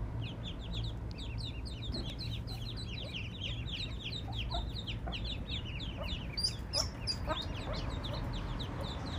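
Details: Eastern spot-billed ducklings with their mother, strayed into an area with no ponds, rivers or water nearby, give a constant stream of thin, high peeps, several overlapping each second, over a steady low rumble of background noise.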